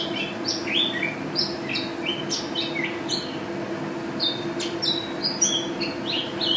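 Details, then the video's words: Mountain white-eye (pleci), a national contest champion, in lively gacor ropel song: sharp high chirps and short slurred whistles tumbling rapidly for several seconds, with a constant low droning hum behind. "Pleci Juara 1 Nasional pleci Gacor juara nasional teler gacor ropel pleci"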